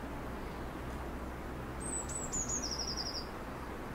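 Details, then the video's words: Eurasian blue tit singing: a few very high, thin, sharply descending notes followed by a rapid, slightly lower buzzing trill lasting about a second, over a steady low background rumble. "Bird Song ID: Eurasian Blue tit"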